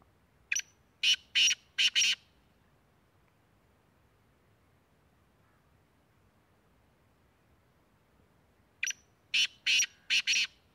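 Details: Black francolin (kala teetar) from Tank, Khyber Pakhtunkhwa, Pakistan, giving two phrases of harsh, rasping, grating notes, four to five clipped notes each, separated by about six seconds of near silence.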